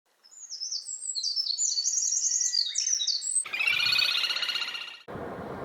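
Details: Meadow bunting (Emberiza cioides), male song, sings a quick three-second phrase of bright, high, slurred notes that tumble up and down, followed by a harsh burst of rustling noise.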